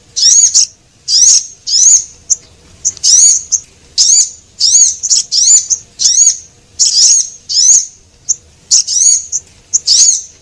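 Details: Lure recording of Javan munia, both sexes: steady series of sharp, high-pitched chirping bursts with wavering slurred notes, roughly two per second and unevenly spaced, with a quiet background.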